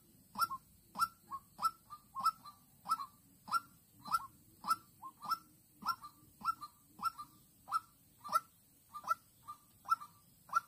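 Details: A young captive decoy white-breasted waterhen in Vĩnh Long, 16 March 2022, calls to entice an aggressive lone wild hen during trapping. Loud, even series of deep kook-kook notes about every half second, with a faint low background drone.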